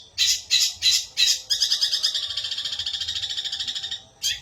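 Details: Long-tailed shrike, a caged songbird, singing: loud harsh buzzy notes in quick bursts, then a long rapid rattling series of scratchy high notes near the end.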